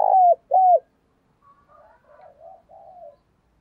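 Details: Decoy spotted dove cooing to lure wild doves: two loud, level coos with a downturned end, followed by softer, fainter cooing phrases from another bird.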